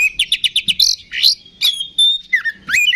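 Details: Singing oriental magpie-robin used to rouse rival magpie-robins: a rapid run of sharp, repeated chips, then rich swooping whistles and harsh bursts, loud and close.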